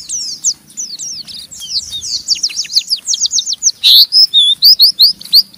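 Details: Kept Oriental white-eye in rough ngeriwik chattering to stimulate other white-eyes; rapid high downslurred chips, about 182 per minute, rising to a loud burst of sharp notes near the end.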